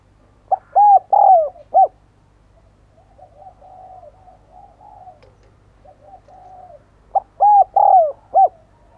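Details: Caged decoy spotted dove calling to attract others, giving two loud phrases of four deep coos about six seconds apart, separated by a soft, low, murmuring coo; no other sounds.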